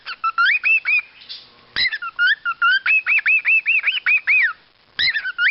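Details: Cockatiels, rare colour mutations including emerald and dominant silver kept at a breeding farm, give quick, arched whistled notes that rise and fall, repeated in rapid bursts.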